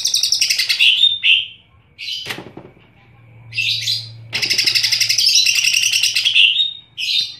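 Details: Cucak ijo in full, very active song, loud and shrill: rapid high chirping phrases broken by short pauses and a sharp click, then a long continuous run of fast, bright, warbling notes.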